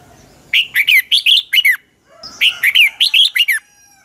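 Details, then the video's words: Red-whiskered bulbul used as a lure bird, giving its dueling song: two rapid, near-identical phrases of about seven loud, clear, falling whistles, roughly two seconds apart. "chào mào hót đấu"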